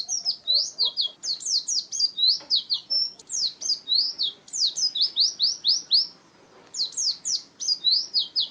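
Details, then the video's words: Rhythmic Oriental white-eye song, used as a bird lure and tutoring material: steady series of high, thin downslurred chirps, a few per second, in long phrases with one brief pause, with faint clicks and low room noise. "kicau burung Pleci"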